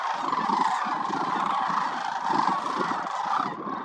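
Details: Wintering sandhill cranes at the Willcox Playa Wildlife Area, part of a gathering of over 20,000 migratory birds. A dense, continuous wall of rattling, bugling calls from a huge flock, over a rumbling low undertone.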